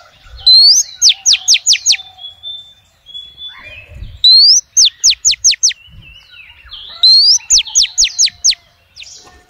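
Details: Female oriental magpie-robin calling to males: three repeated phrases of a rising whistle followed by five quick steep downslurred notes, about every three seconds, with soft chatter between.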